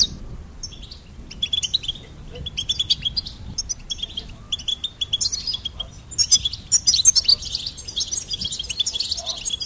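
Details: Goldfinch singing: rapid, tinkling high twitters and chirps in bursts, with short pauses and a faint low rumble beneath.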